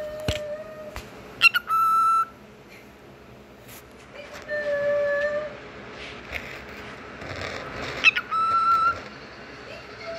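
A cockatiel mimics the phrase "peek-a-boo" in whistly, tonal syllables, repeated several times.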